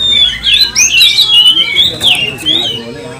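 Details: Oriental magpie-robin in an emotional 'kanibal, mbagong, salto' song that excites other magpie-robins. A continuous warble of looping, rising and falling whistled notes is heard, with a low background hum.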